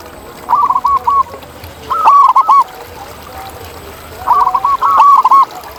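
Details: Wild zebra dove cooing in nature: a quieter stuttered phrase, then a louder run of rounded, slightly rising and falling notes. After a pause the same two-part pattern repeats, faint and then strong.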